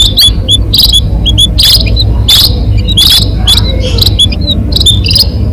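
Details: Munia lure call for catching birds, a dense chorus of many short high chirps and brief rising notes, strong low hum underneath throughout.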